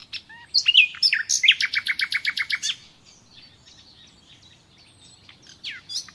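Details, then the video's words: Nightingale singing: clear whistles and sharp notes, then a rapid run of about eight loud repeated notes a second, trailing into softer twittering. "Doğal Bülbül Sesi"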